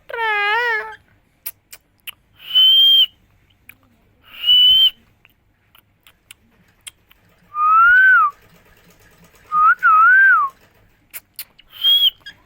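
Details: Indian green parrot opens with one quick speech-like word, then gives a series of clear high whistles, some flat and level, others bending up and down, spaced a couple of seconds apart, with faint clicks between.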